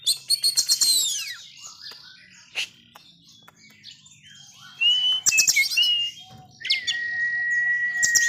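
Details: Kept white-rumped shama, described as a fierce wild-caught bird, in agitated song: loud bursts of high chattering and sweeping whistles, then a long level whistle near the end, over faint low background hum.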